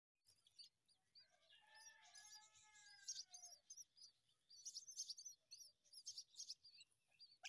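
Common myna chicks give a busy chorus of rapid, high, scratchy chirps, with a brief lower, drawn-out squeal near the start.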